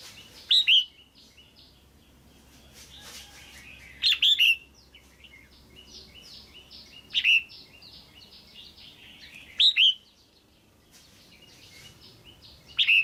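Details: Red-whiskered bulbul female calling to a male or for pairing: loud double chirps with falling slurs, repeated roughly every three seconds over busy background chatter of other small birds.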